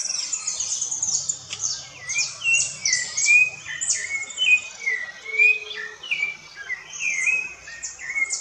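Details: Rufous-bellied thrush singing in the woods: slurred, whistled phrases, each rising or falling, given in a steady warbling run, while high, thin chirps from other birds sound throughout.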